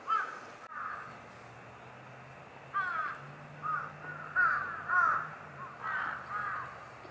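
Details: A Brown-eared bulbul, filmed in early February 2021, gives about eight harsh, squealing calls in short bursts, some in quick pairs, over a faint low hum.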